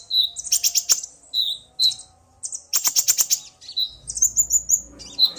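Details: Male common iora singing vigorously, roused by a female's call, the pair answering each other; rapid bursts of sharp high chips and short whistled notes in quick clusters with brief pauses between phrases.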